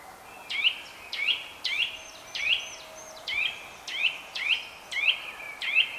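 Eurasian nuthatch repeating loud, sharp, ringing whistled notes, about ten in six seconds, each quickly slurred, over a faint steady background hiss.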